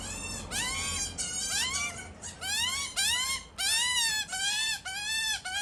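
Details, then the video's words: Two baby Australian magpies hidden in a tree call endlessly for food as parents feed them: loud, grating, harmonic cries in rapid back-to-back bursts, each arching upward then dropping, nearly continuous. "BABY MAGPIES So HUNGRY! | Loud Calling & Crying"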